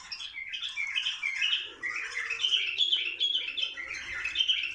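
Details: Bulbul song meant to stimulate mating. Busy, overlapping chirps and warbled notes from several birds run without a break, with a faint low hum underneath.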